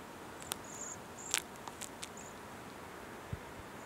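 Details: Cedar waxwings, part of a flock feeding on crabapples at Rose Valley Lake, Lycoming County, Pennsylvania, on 5 December 2020, give a few thin, very high, hissing whistles, each brief and faint, among sharp clicks and rustles.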